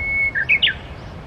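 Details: Japanese bush warbler singing by the Tsurumi River: a long, steady whistled note, then a quick flourish of brighter notes that rise and end in a fast downward slur.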